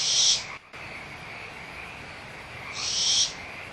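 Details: Barn owl chicks at Audubon Starr Ranch Sanctuary quarrelling over leftover food, mother nearby: two breathy, rasping screeches about two and a half seconds apart, with a frog chorus droning underneath.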